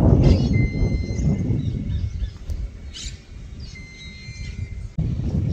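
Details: Whistling heron, locally called chiflón, beside a river: a thin, steady, high whistle held for a couple of seconds, then repeated, over a loud rumble of wind and outdoor noise.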